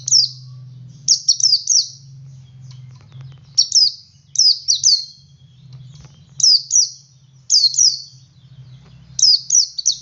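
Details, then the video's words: Male white-eye singing in the ngalas style, used to prompt other white-eyes to join in; high, thin, downslurred chirps in quick groups of two or three, repeated every second or two over a low steady hum. "Suara Burung Pleci Jantan Ngalas Memancing Pleci Lain Ikut Ngalas"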